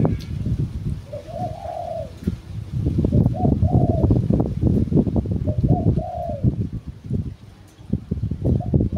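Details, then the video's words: Household spotted dove used as a decoy, cooing in short soft phrases of two or three notes, separated by pauses. Loud low rumbling and clattering noise nearly covers them. "cu gáy mồi"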